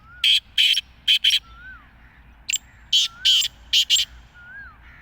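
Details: Black francolin, the kala teetar, repeating harsh rasping phrases of four to five clipped notes, with soft down-slurred whistles from another bird in the gaps.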